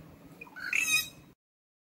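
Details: Rufous treepie, also called Indian treepie, giving one short harsh squawking call with a rising tonal note, then silence.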